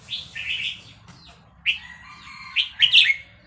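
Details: {'text': 'Caged Vietnamese red-whiskered bulbul singing excitedly with fast-linked phrases while a recording of chicks plays: short bright warbled phrases, a pause, then a rapid burst of chirpy notes near the end.'}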